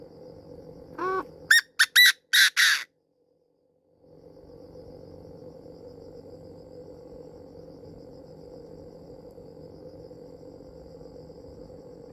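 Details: Chinese francolin decoy call used to lure birds: a short run of loud, harsh, stacked notes, the first rising and falling, followed by three or four quick emphatic bursts, then silence and a steady low hum.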